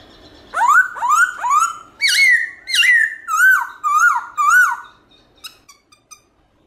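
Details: Morning song of a black-throated laughingthrush in forest style with voice switching: a steady series of about eight rising, then arching whistled notes, each under half a second, fading into faint short chirps.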